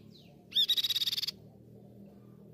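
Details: Grey-cheeked tit-babbler, recorded to train and provoke caged birds into song: one short rapid trill of about ten pulsed high notes, preceded by a faint descending whistle, with low steady hum beneath.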